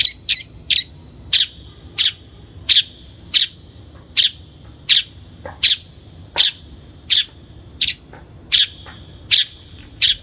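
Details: Lure recording of a long-tailed shrike for training birds: loud, sharp high chips repeated steadily about once every 0.7 seconds, each with a brief ringing tail.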